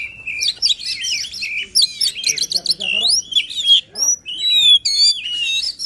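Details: White-rumped shama song in a lively, emotional style used to prompt a quiet bird to sing: a continuous varied string of whistled slurs, rising and falling sweeps and rapid chattering notes, with brief pauses between phrases.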